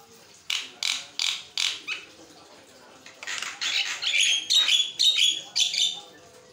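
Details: Javan myna (jalak kebo) singing without pause, meant for training other mynas and drawing out their song; four loud harsh rasps, then a rapid run of squeaky, whistled and grating notes about twice a second.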